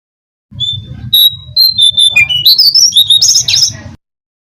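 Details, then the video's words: Brown-cheeked fulvetta song used as a bird lure: level whistles that speed into rapid zigzagging notes climbing higher, ending in a high warbled flourish, over a steady low hum. "suara pancingan burung jongkangan (cingcoang coklat) sangat ampuh"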